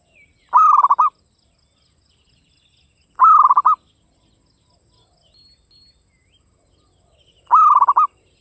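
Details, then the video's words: Native Javanese zebra dove delivering classic Mataram-style song: three identical rolling coo phrases, each about half a second of rapid stuttering pulses, spaced roughly two and a half to four seconds apart, with faint bird twitters between. "PERKUTUT LOKAL GACOR cuman hitungan menit nyaut SUARA GARING"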